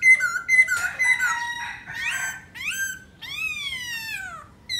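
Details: Dancing black laughingthrush in song. Loud rich chirps and a held whistle come first, then a rising squeal and a long, falling, harmonic-rich note, with brief pauses between phrases.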